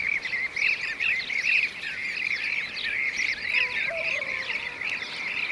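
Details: Blue-cheeked bee-eaters (Merops persicus), Şanlıurfa, Turkey, 2016. Many rolling, slurred notes overlap in a busy chorus. A couple of low, short tones sound in the second half.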